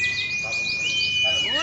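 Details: White-eyes competing at a Klaten practice singing contest, Sunday morning, 28 June 2020. High, rapid, tinkling chirps and warbles from several birds run over a steady thin whistled tone, with faint crowd noise underneath.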